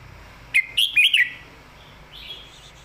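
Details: Red-whiskered bulbul in a cage, singing a clear southern-style master song meant as a model for training birds: four quick, bright, bubbling notes in a tight phrase, then a faint trailing whistle.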